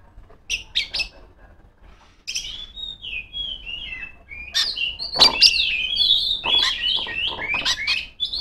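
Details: Female oriental magpie-robin singing to call rivals: varied whistled and chattering phrases, sliding notes and sharp chips, starting sparse with brief pauses, then a denser, louder run of overlapping warbles toward the end.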